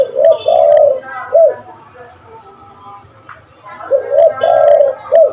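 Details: Spotted dove call for luring birds: mellow cooing phrases of a short note, a long rolling coo and a closing note, repeated after a pause, with faint voices and room noise behind.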